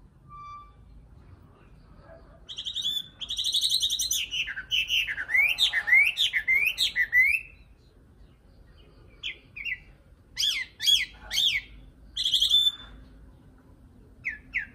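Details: Nightingale in full song: loud, varied bursts of rich whistled notes, quick rising and falling slurred phrases and rapid trills, broken by short pauses, then further sharp whistled phrases; otherwise quiet background.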